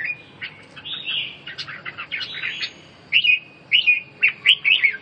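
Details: Recording of red-whiskered bulbul song aimed at birds recovering from respiratory illness. Softer warbling opens, then a series of crisp, evenly spaced whistled phrases about twice a second.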